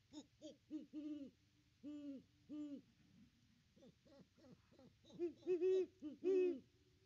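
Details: A great horned owl pair at the nest tree, recorded by nest cam on Christmas 2021. A series of low hoots at a brisk, uneven pace, a pause, then quicker shorter hoots building into louder, fuller notes near the end.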